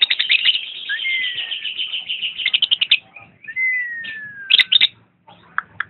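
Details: Lovebird chirping: a fast run of shrill, high chirps, two thin descending whistles, then a burst of sharp notes and a few scattered squeaks before falling quiet.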